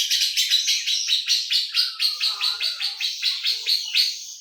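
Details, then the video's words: Filler song from a lovebird in the Cililin, jenggot and sewing-machine styles: loud high buzzy chatter broken into rhythmic pulses, about three per second, running for over four seconds. "LOVEBIRD isian Cililin Jenggot Mesin Jahit"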